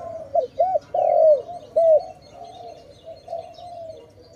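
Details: Loud dove cooing at a trapping spot: two quick arched notes, a long bending coo and another short hoot, then softer, trailing coos fading out.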